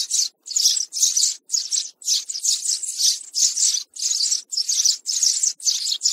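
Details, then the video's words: Young sparrow chirps played as a bird-trapping lure: a steady series of rough, buzzy high chirps, around eleven bursts in six seconds, some running together, in an otherwise silent background. "Tiếng sẻ Non 2024"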